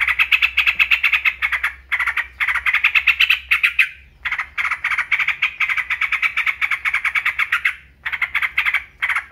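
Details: Loud, dense chatter of a yellow-vented bulbul: rapid rough notes in extended runs with only a few short breaks.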